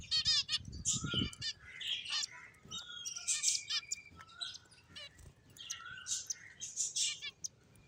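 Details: A group of finches at play calls in clear, bright chirps, rapid stuttering trills and short thin whistles, densely overlapping, with some soft low rustling early on.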